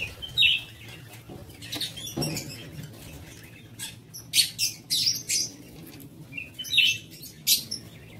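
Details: Lovebirds in a breeding aviary give shrill, high-pitched chirps and squawks in short bursts, several clustered around four to five seconds. A low hum runs underneath.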